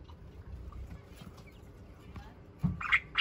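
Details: White-rumped munia (Society finch) chicks, a brood of perhaps five, give a few loud, raspy, buzzy begging bursts near the end, after a quiet stretch with faint background rustling.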